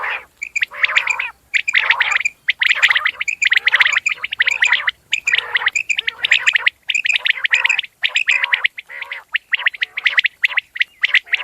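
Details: Common quail calls: crisp, ringing notes repeated in regular groups, laid over continuous rapid, scratchy, gargling bursts that sound like more than one bird, with short breaks about every second.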